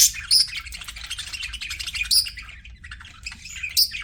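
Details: Several budgies chirping together, bright high twittering and squeaks that come in bursts, with sharp shrill peaks at the start, around two seconds and near the end, and a quiet low hum underneath.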